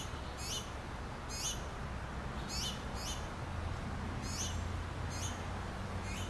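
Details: Begging finch nestlings calling to the mother for food while being fed: seven thin, high, falling squeaks repeated roughly every second over faint background hiss.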